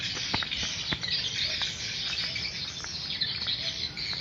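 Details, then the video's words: Swiftlets at a swiftlet house, a dense, continuous high twittering and chattering of many birds with scattered short sharp clicks and chirps throughout. "rumah burung walet"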